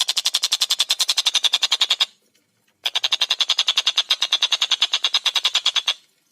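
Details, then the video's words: Clear, fast, busy calling from a tengkek buto, or collared kingfisher: two long runs of quick, grating notes repeated evenly many times a second, with a brief pause between them. "Masteran Burung Tengkek Buto Gacor Suara Jernih Speed Rapat"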